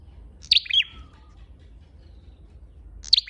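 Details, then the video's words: Flowerpecker (chim sâu đầu đỏ) lure call: a sharp, high, tinny double chirp, followed after a pause by another single high chip, over a quiet low rumble. "Tiếng chim sâu đầu đỏ mồi"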